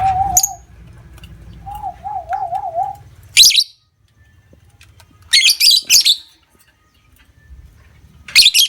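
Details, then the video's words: Lovebird calling to lure other lovebirds into long ngekek trilling: harsh, buzzy high-pitched chattering bursts in short runs. A separate lower, wavering whistled tone repeats early, over low background hum. "Pancingan Love Bird Ngekek Ampuh Durasi Panjang"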